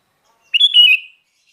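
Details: Kutilang, the sooty-headed bulbul, utters one clear fluty phrase of several linked whistled notes that step up and then slide down over about half a second, recorded in silence.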